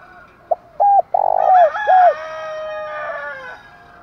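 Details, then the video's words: Spotted dove in urgent 'thúc gù' cooing used to excite wild and decoy birds. A short note and hooked coos lead to a long note, then a rooster crows loudly over the end. "cu gáy thúc gù kích thích chim bổi và mồi rất nhạy gáy"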